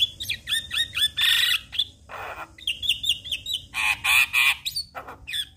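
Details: Black-collared starling song to provoke other starlings into singing, with repeated bouncing whistled notes alternating with loud harsh broadband bursts and brief pauses.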